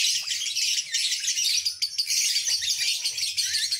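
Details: Lovebird giving its ngekek, a long continuous high trill, dense and unbroken, chattering steadily throughout with no pauses.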